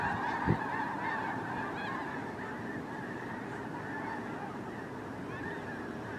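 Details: A migrating flock of snow geese filmed by drone, a constant chorus of many honking birds, slightly softer, with one sharp low thump near the start and some clearer individual yelps.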